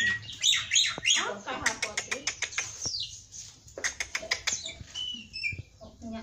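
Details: Javan pied starling singing 'gacor full isian': high, scratchy squeals followed by a steady rattle of sharp clicks, then thin whistles and scattered chattering notes.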